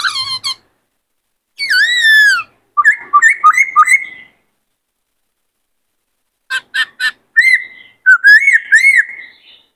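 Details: Lively multi-voiced song of a white-cheeked laughingthrush, used to rouse male birds to sing and dance: descending whistles, a stuttering run of rising notes, a pause, then sharp chips leading into looping whistled phrases.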